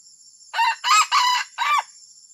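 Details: Junglefowl giving a strange call, described as disruptive: a loud four-part crow lasting about 1.3 seconds, its harsh, harmonic-rich bursts separated by short gaps, with a steady high electronic whine behind it.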